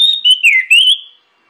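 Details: A single phrase of clear orange-headed thrush song for luring other birds into song: a steady whistle, then a dipping note swooping down and back up, ending abruptly in silence.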